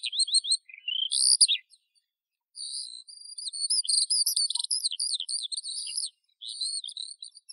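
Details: Eurasian skylark song with a rising run of chirps, a loud slurred flourish, then a long high stream of rapid twittering and trilled notes after a short pause.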